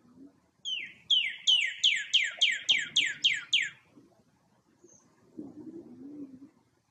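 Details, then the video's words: Male Northern cardinal singing on an evening walk through a neighborhood: a rapid series of about nine loud, clear down-slurred whistles, each sliding from high to lower pitch, followed by faint low background noise. "Cardinal rouge, chant / Northern Cardinal, song"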